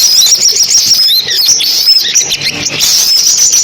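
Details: Compilation of sunbird song used to lure birds to a speaker trap: rapid, high-pitched twittering and tinny chirped notes pour out without pause, busy and continuous throughout, nothing else clearly audible.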